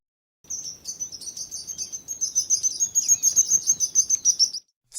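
A sparrow gives a fast stream of high, thin chirps, about three or four a second, for roughly four seconds.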